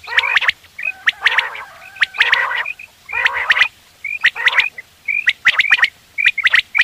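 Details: Quail calling in the morning for hunting: harsh nasal bursts give way to clusters of sharp whistled pips. The pips come in quick groups of two or three toward the end.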